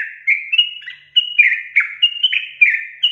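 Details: Lively sooty-headed bulbul delivering a fast run of song: bright whistled notes alternating with burry, slurred phrases, packed closely together without a break.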